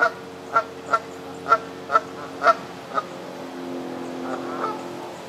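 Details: Canada geese on a pond in Midhurst, West Sussex, England, uttering six spaced, fairly soft honks about once every half second, then fading into quieter murmuring calls over a steady background hum.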